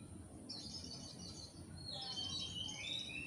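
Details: Oriental magpie-robin from Indonesia, a full song used as training material for caged songbirds. Rapid high warbling with sweeping whistled notes and trills runs almost continuously and grows stronger in the second half, over a steady low hum.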